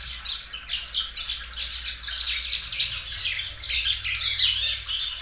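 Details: Belgian canary, a loud caged singer that repeatedly stretches out its song, delivering a dense, fast run of high chirps and warbled notes building in loudness, steady low hum in the background.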